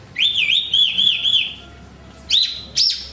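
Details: Horsfield's bush lark giving a wavering, rolling whistle that rises and dips several times, then a pause and two sharp upswept notes.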